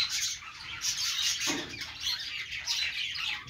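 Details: Budgerigars singing from a perch give a continuous rough chatter of chirps and squawks, broken by a brief lower harsh note midway.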